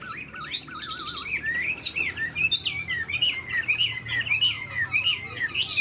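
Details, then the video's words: A tame cage-kept Chinese hwamei starts with a wavering trill, then sings a lively chain of varied whistled notes, repeated roughly every half second, rising and dipping in pitch. "Chim họa mi thuần đuôi xòe, chơi cánh đại bàng cực đẹp"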